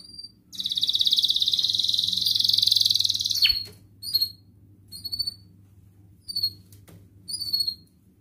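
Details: Singing canary, part of a lure for lazy canaries featuring ngerek, mbarong and ngerol styles: a loud three-second rolling high trill, then a pause and a series of short paired cuit cuit chirps spaced about a second apart.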